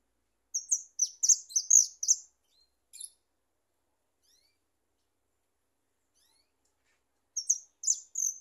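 A European Goldfinch sings a quick burst of high, tinkling, twittering notes, falls silent for several seconds, then starts another brief phrase.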